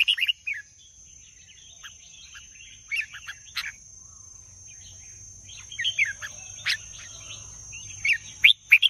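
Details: Red-whiskered bulbul delivering scattered short whistled phrases and chirps across nine seconds, some bright and loud, others faint, with quiet gaps between bursts and a steady high-pitched whine throughout.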